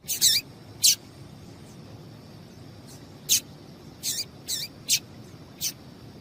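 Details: Female Double-collared seedeater calling to get a male singing: a series of quick, high, slurred chirps, several in close pairs, separated by pauses of one to two seconds, with steady faint hiss behind.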